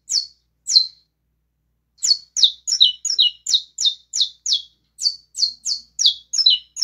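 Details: Saffron finch singing a lot: two opening chirps, a pause, then a fast series of high, downward-sweeping chirped notes, some doubled, repeated about every third of a second with no other sounds.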